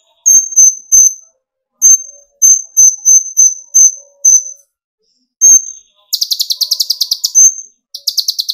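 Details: Sunbird (kolibri ninja) used to excite young birds into singing: a series of high, clear whistled notes spaced by short gaps, then a dense, fast buzzy trill near the end.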